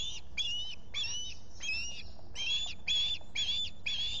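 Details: At a Finger Lakes osprey nest in July, with a visitor present: steady, repeated high whistled chirps, each with a slightly rising inflection, about two per second throughout, over faint low rumble.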